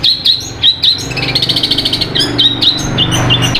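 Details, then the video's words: Sapudi long-tailed shrike singing a mimicking song: clear, sharp chirps at first, then a dense run of fast, buzzy chattering notes, with a low hum in the background. "Cendet Sapudi suara kuntilanak nyambung gereja petir materi mewah gacor"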